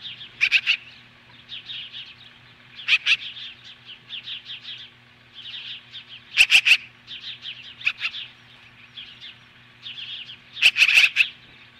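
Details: Nesting Osprey near Lolo, Montana, facing off magpies on a July 2015 morning: continuous high, slurred whistled chirps in quick runs, punctuated about every two to four seconds by loud grating rasps.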